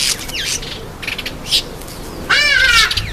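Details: Red-faced mousebird at a birdbath: a short descending whistle early on, then a loud, rich, harmonic-laden call with wavering notes, with a few splashing or rustling bursts between them.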